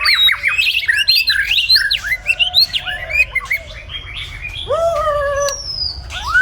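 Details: Singing white-rumped shama, morning: a fast cascade of clear whistled notes and sharp chips at first, then slower, drawn-out fluted whistles with long pauses.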